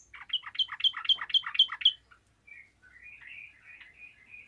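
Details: Yellow-vented bulbul singing lustily and answered by other bulbuls: a two-second burst of rapid, bubbly chattering notes, about four per second, followed by softer, lower warbled phrases.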